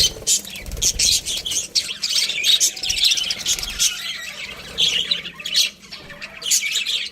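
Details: Budgies chatter in loud clustered bursts of shrill chirps and squawks, broken by brief lulls.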